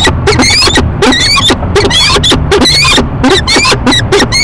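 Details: Peregrine falcon pair, male and female, courting at a nest box on a Rochester, New York building on a March morning; loud harsh repeated ee-chup calls from both birds in rapid bursts, with a low steady hum underneath.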